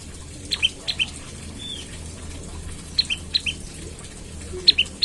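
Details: Olive-backed tailorbird calling in the morning to prompt others to sing: short clusters of sharp paired chirps, a high note followed by a lower one, separated by gaps of over a second, faint low hum behind.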